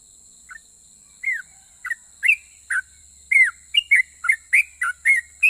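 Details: Sooty-headed bulbul, a persistent singer with a rapid long song that draws replies from other bulbuls. Single slurred whistles start sparse, then come faster, roughly three per second by the end, with faint steady hiss behind.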